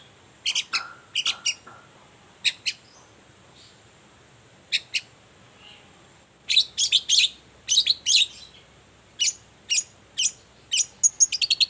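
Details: Morning lure song of a Long-tailed shrike to make silent shrikes reply: scattered scratchy notes, then a denser stretch of grating chatter and whistles that speeds into quick runs near the end, with steady high hiss.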